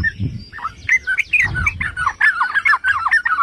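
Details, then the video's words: Yellow-vented bulbul song meant to rouse other bulbuls: rapid chattering, gurgling notes tumbling up and down, dense and continuous, with a few low knocking sounds early in the passage. "Pancingan dan Masteran Trucukan"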